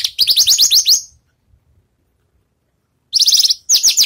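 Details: Freshly moulted Javan bush lark practising songs, giving a rapid series of sharp, high slurred notes about a second long, a pause of two seconds, then two more quick chattering bursts.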